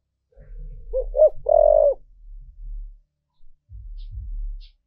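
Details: Lure spotted dove cooing to call wild doves: two short rising coos, then a long loud hoarse coo, over a steady deep low hum, with further low thumps afterwards.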